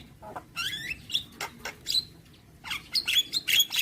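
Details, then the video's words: Javan myna song made of a rapid jumble of rasping chatters, a rising whistled slur and high squeaky notes, loud and irregular. "Dengar Kicauan Jalak Kebo Maput Full Isian"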